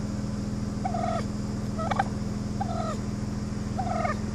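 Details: Assertive wild turkeys on a Brookline, Massachusetts road, late August, early morning; four spaced, slightly descending nasal yelps roughly once a second, with a steady mechanical hum underneath.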